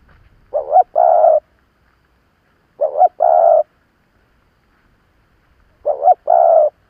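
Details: Veteran decoy spotted dove provoking wild birds: three repeated phrases roughly 2.5 seconds apart, each a brief wobbling rising note and then a long even low coo, over a quiet background.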